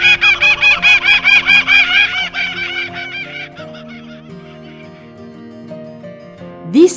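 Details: A Laughing Kookaburra in the Australian Outback gives its territory-marking laughing call, a fast run of loud, harsh, cackling notes, about four a second, for two seconds before fading into background music.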